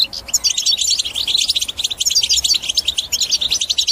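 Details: European goldfinch singing a batbata-style song, meant to stir other birds into singing and break their silence: a dense, rapid high twitter of short sharp notes and buzzy trills, almost unbroken throughout, with faint background hiss.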